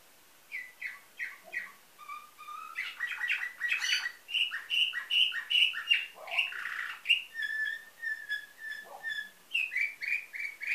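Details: Canary with nightingale-style song, Varna, Bulgaria: spaced chirps build into dense rapid trills and repeated bright whistles, with occasional low dipping notes and a final run of quick chirps.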